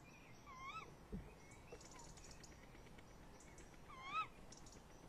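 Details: Tawny owls calling around a nest box at 21:45 on 30 May 2015, the male in the box and the female nearby outside; two wavering, slightly rising calls with harmonics, one early and one near the end, over steady background hiss.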